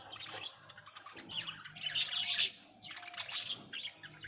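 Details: Budgerigars in a home setting twitter in clusters of quick, buzzy chirps that swell and fade, over a faint low background hum.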